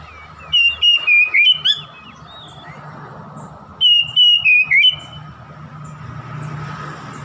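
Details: Oriental magpie-robin song to provoke a rival: two bursts of four or five stepped whistled notes, falling slightly then ending with a rising slur, separated by a few seconds of hum.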